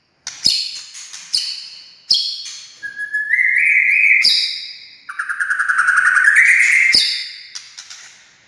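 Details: White-rumped shama (murai batu) singing to provoke other shamas into song: loud sharp cracks, then two long whistled phrases that step upward in pitch with fast trilled overtones, and a final crack.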